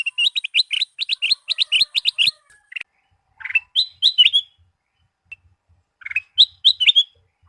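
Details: Kutilang Emas bulbul chirping in a varied lure recording meant to prompt singing: a fast run of rhythmic repeated chirps, then separate liquid whistled phrases rising and falling, spaced by short silences.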